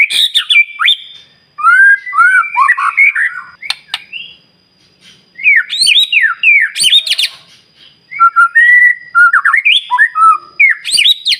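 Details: White-rumped shama song used to spur other shamas into singing: loud, varied whistled phrases with rising and falling slurs and harsh squawky notes, delivered in bursts separated by short pauses.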